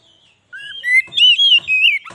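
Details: White-rumped shama song played to lure wild shamas: after a short silence, clear whistled notes climb in pitch, then break into loud warbling phrases with harsh clicks mixed in.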